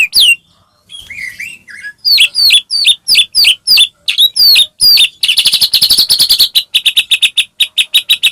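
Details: White-rumped shama singing to provoke other shamas into song: varied high chirps and whistles build into a fast, steady volley of sharp repeated notes, then a rapid trill of bright, even chips.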